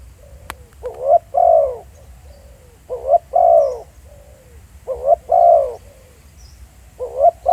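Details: Spotted dove recorded live in the field. It gives low, husky coos, each a short rising note followed by a longer downslurred coo. Four phrases are spread across the recording, with quiet gaps and a faint low rumble between them.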